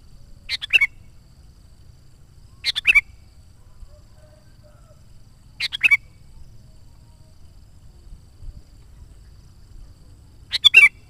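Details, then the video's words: Sooty-headed bulbul, a lively singer used as a lure to call wild bulbuls and to stir caged birds into song: four short, bubbly, fluty phrases spaced two to five seconds apart over a quiet background. "SUARA BURUNG KUTILANG GACOR COCOK UNTUK PANGGILAN BURUNG KUTILANG LIAR DAN PIKAT AJARAN"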